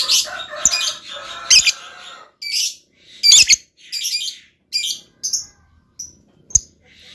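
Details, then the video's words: Lovebird singing in a luxurious style: harsh, buzzy, high chattering phrases alternating with short squeaky chirps, thinning to isolated thin notes and a sharp click near the end. "LOVEBIRD GAYA MEWAH. SEKALI BUNYi LANGSUNG YAUT.."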